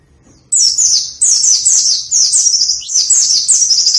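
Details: Energetic white-eye song meant to stimulate white-eyes that rarely sing: continuous high, shrill twittering made of rapid repeated downslurred notes in quick phrases, almost without pause, over a faint low hum.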